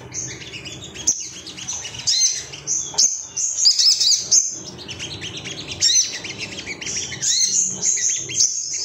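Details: An agitated male Ruby-cheeked sunbird looking for rivals, singing a busy stream of very high squeaky chirps and trills with short gaps and loud bursts.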